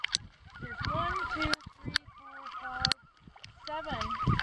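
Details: Several common loons at a gathering on Lac Kipawa, Quebec, heard while canoeing: overlapping wavering tremolo calls and drawn-out steady wails, interrupted by sharp knocks and clicks.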